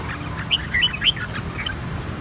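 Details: One of three same-clutch red-whiskered bulbuls whose white cheeks turned red in one season, giving a few short, bright, clear bell-like chirped notes over about a second, with a steady low hum underneath.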